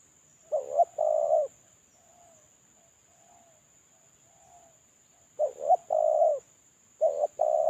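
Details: Moulting spotted dove used for luring: loud two-part coos, a quick rough note then a long smooth one, with soft low murmured coos in the pause between phrases. A faint steady high whine continues.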